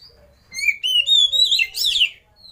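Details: Oriental magpie-robin lure song for prompting other birds to sing, as a master recording: a continuous run of clear, rising and falling whistles and slurred notes lasting under two seconds, ending in a rich warbled flourish.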